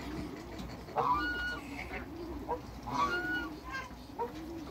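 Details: A pair of African geese in a backyard giving loud nasal honks, about four calls spaced irregularly over five seconds, each with stacked, slightly rising tones.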